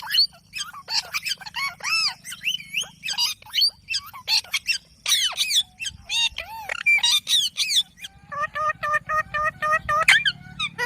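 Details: Ring-necked parakeet, a pet talking parrot; a dense stream of harsh squawks and warbling, up-and-down nasal notes, nearly continuous for about eleven seconds, with faint low hum behind.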